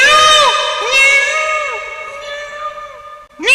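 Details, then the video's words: Indian peafowl: a peacock gives a loud, nasal, cat-like wail held about three seconds with a few brief dips, then starts another rising cry. "peacock sound"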